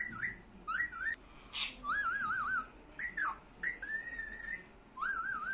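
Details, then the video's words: Pet parrot kept for talking training, indoors: a run of clear whistles, some wavering up and down in quick warbles, others rising or held steady, separated by short pauses over a steady room hiss. "Talking parrot"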